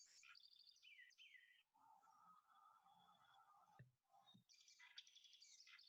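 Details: House wren song, from a very common bird that lives close to houses, played back quietly: quick high trills drop downward in steps, followed by a lower warbling run and a final burst of high chattering notes.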